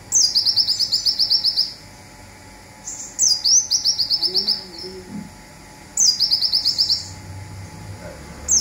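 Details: Zipper song of a local olive-backed sunbird, played to train songbirds: three high, fast, rattling trills about every three seconds, each led by a downslurred whistle, with a faint low murmur in a quiet gap.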